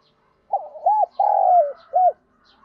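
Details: One full song phrase of a spotted dove used to provoke rival wild males: fast broken hoots, a sustained coo that slides down, then a brief arched last coo, in a quiet setting.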